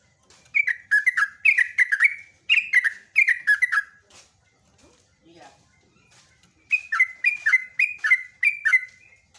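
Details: Long ropelan gacor song by a yellow-vented bulbul: a three-second stretch of fast, bubbling whistled phrases, a quiet middle with faint soft sounds, then another rapid chattering run of repeated slurred notes.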